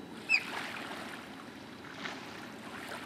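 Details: American oystercatcher in Florida, 8 December 2020: a single sharp, high, piercing whistled note over a steady rushing hiss of water or wind.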